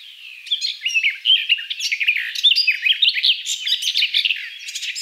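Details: Garden Warbler (Sylvia borin) song: a rapid, continuous warbling stream of varied chirps and short slurred notes, sustained for several seconds, with no other clear sounds.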